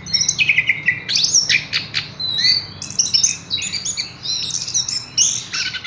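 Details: Horsfield's bush lark kept caged, singing an energetic mix of sharp chirps, brief trills and high whistled slurs in quick succession.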